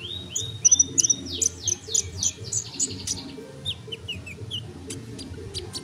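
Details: Sunbird song for tutoring songbirds: a series of upward-swept whistles, then a dense burst of very high ticking chirps that trail into softer twitters, low steady hum in background.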